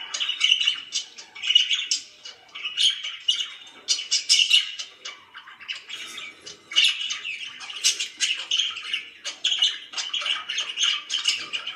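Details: Pet budgies warble continuously with scratchy chirps, clicks and squeaky notes in irregular rapid bursts, pausing only briefly.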